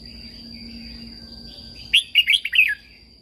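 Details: Caged red-whiskered bulbul from Thailand singing a training song used to excite other caged birds: after a quiet start, a short lively phrase of five or six bright, slurred whistled notes, with a steady high tone humming throughout.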